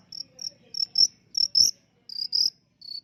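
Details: Long-tailed shrike, a singing contest champion, giving a series of clear, high whistled notes, each short and steady in pitch, delivered in uneven bursts about every third of a second with brief gaps.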